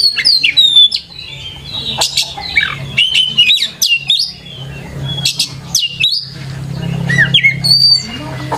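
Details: Lively Oriental magpie-robin singing in a lure recording for young birds learning to sing; loud whistled slurs, sharp clicks and buzzy bursts in irregular phrases, with a noticeable low hum in the background.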